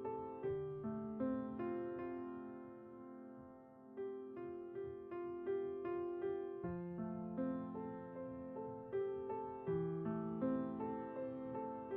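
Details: Soft electric piano music with sustained chords and gentle melody notes, with no animal sounds.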